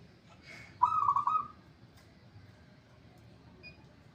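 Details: Zebra dove in full song: a brief burst of quick warbled, trilling coos lasting under a second, then near silence with faint background hiss.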